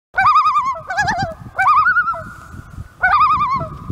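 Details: Common loons at Lake of the Woods calling for their chick, which they eventually found: quavering, wavering calls in three bursts roughly every one and a half seconds, each a fast, trembling, ringing, slightly nasal note.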